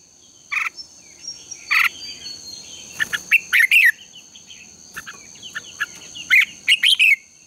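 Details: Red-whiskered bulbuls in contest-style morning singing, used as a lure to train birds to sing: short bright chattering phrases bursting out irregularly, some closely clustered, over a steady high-pitched insect-like whine.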